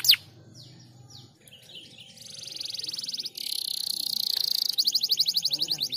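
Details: Canary song meant to encourage reluctant canaries, quieter and farther off over faint background noise. It has soft sliding notes, then a building rapid high trill and a brighter pulsing trill.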